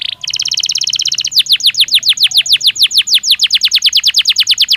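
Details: Belgian canary singing naturally, opening with a very fast buzzing roll, then switching to evenly spaced falling whistled notes repeated about eight times a second.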